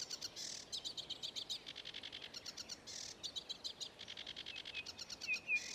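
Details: Singing sedge warbler, Ilmatsalu, 26 May 2017, delivering rapid stuttering chatter in bursts, buzzy churrs between rattled runs, and a couple of rising whistled notes at the end.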